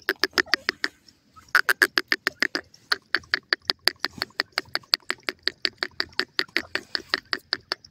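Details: Japanese quail chicks playing in a forest give sharp, clipped chirps in a fast steady series, about five a second, with one brief pause near the start.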